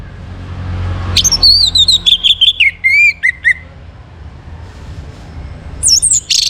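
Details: Orange-headed thrush song, a morning lure recording meant to bring birds into breeding condition: a loud whistled phrase sliding down from high notes into quick warbled notes and a lower trill, then a brief high burst after a pause.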